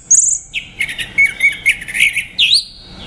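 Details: Orange-headed thrush song: a high thin whistle, then a rich warbling run of mid-high notes, ending with an upward-sliding phrase.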